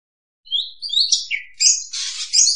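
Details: Oriental magpie-robin pikat lure song: after a moment of silence come rising whistled slurs and a lower warble, then a broad harsh rasp and a final high whistle.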